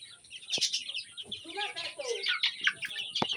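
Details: Fayoumi chicken with a short burst of arching, nasal calls in the middle, surrounded by busy high twittering of other birds and a few sharp knocks.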